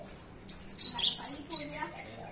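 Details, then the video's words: Cinereous tit in the morning giving a loud, close phrase of high, thin whistled notes lasting about a second, mixed with sharper falling chips. "Nyanyian burung gelatik batu di pagi hari"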